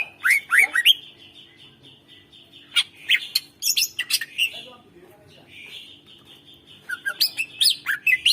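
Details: Greater green leafbird song used to encourage quiet birds to sing: dense, fast, rambling phrases of harsh chatter and slurred whistles, with a steady background whine between bursts.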